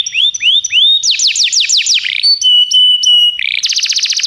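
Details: Canary song for training canaries: upward-curving whistles, a burst of falling sweeps, long level tones, then a dense rapid buzzy trill at the end, clean and loud.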